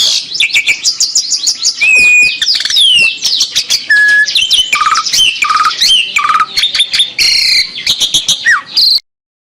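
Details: Asian pied starling in full song, said to sound like a police siren: loud varied medley of clicks, rattles and buzzy notes, with drawn-out whistles that slide up and down, some siren-like, ending abruptly.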